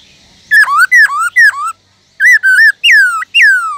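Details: Caged black-throated laughingthrush singing forest-style song in two bursts: three sharp down-up whistled notes, a short pause, then four varied whistles ending in long descending slurs.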